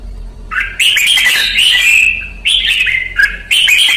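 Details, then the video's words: Red-whiskered bulbul, a Vietnamese chào mào trained in 'luyện ché' song: two loud, fluty, warbled phrases with quick rising notes and a sharp final flourish, no other sounds. "CHÀO MÀO | Luyện ché Pycnonotus Jocosus Red-Whiskered Bulbul"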